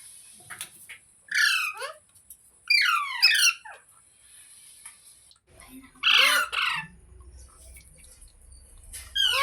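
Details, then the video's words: Parrot vocalizing: sweeping, falling harmonic squawks in several bursts, with low rumbling background noise in the later part and a final rising call. "Parrot Talking Sounds Videos | Parrot Voice |Parrot Ki Awaaz"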